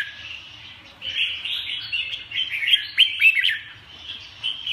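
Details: Red-whiskered bulbul: a quiet opening gives way to a lively stream of rapid chirps and short slurred whistles, several sharp downward notes close together near the end.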